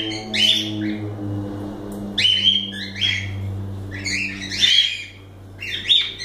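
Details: Pet cockatiels calling in quick, bright chirping bursts with short whistled notes, separated by pauses, over a steady low humming tone in the room.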